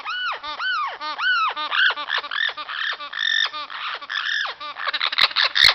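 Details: Amazon parrot in spring, when this vocalizing is said to happen: arched, nasal squawking notes repeated in quick succession, turning into rougher chatter, with two sharp clicks near the end.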